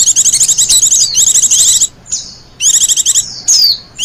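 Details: High, fast twittering phrases from a wild white-eye, a song kept for luring and as master song: long buzzy warbled runs, then thin downslurred whistles and a further dense burst after a pause.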